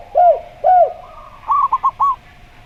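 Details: Slow-style zebra dove song with a gayer-style spotted dove: two long arched, hollow coos, then a quick run of four short clipped coo notes.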